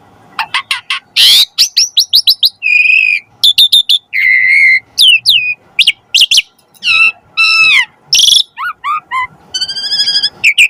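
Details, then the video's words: Asian pied starling song used as a master and lure recording to get starlings singing energetically: a rapid medley of whistled upslurs, harsh buzzy bursts, and stacked rising and falling notes with short gaps between them. "Suara Burung Jalak Suren - Masteran & Pancingan Jalak Agar Mompa Gacor Full Isian Mewah & Bagus"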